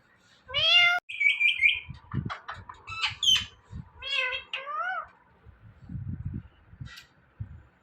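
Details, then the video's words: Indian ringneck parrot mimicking words, saying "Mithu" and a cat-like "meow": a series of nasal, wavering syllables and short clicks, with faint low room noise between the phrases. "Talking Parrot Saying Mithu Mithu"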